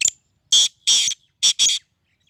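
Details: Sindhi black francolin; a brief click followed by four loud, rasping notes in two pairs, each pair spaced about a second apart, with silence between.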